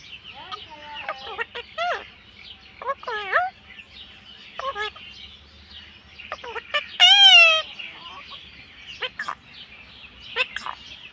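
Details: A pet Indian ringneck (rose-ringed) parakeet chatters in quick, high, warbling bursts of mimicked speech, with a loud harmonic squawk near the middle.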